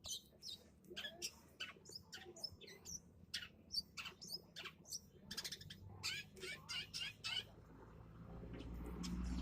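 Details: Long-tailed shrike lure recording meant to draw other birds into answering: a rapid series of sharp, scratchy chattering notes, roughly two per second, with a rising low rumble of background noise toward the end.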